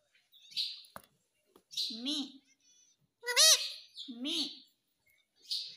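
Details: Pet talking parrot saying "mummy" and "papa": three voiced, speech-like syllables with rising-then-falling pitch, interleaved with bright, squeaky high chirps; no other sounds.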